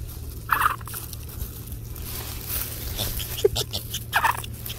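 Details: Nearly one-month-old Chilean flamingo chicks, walking with keepers among fallen leaves on an autumn day, give short, husky trilled chirps in two quick bursts with one lower note between, over steady low rumbling.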